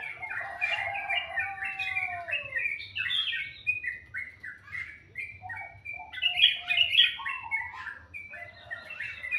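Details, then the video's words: Melodious morning birdsong: busy chattering warble of quick chirps and slurred whistles, a few lower drawn-out notes early on, over a steady low background hum. "Suara burung dipagi hari sangat merdu"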